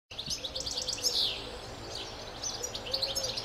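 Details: European goldfinch singing a rapid twittering song of high chirps and trills, with a faint steady low hum beneath.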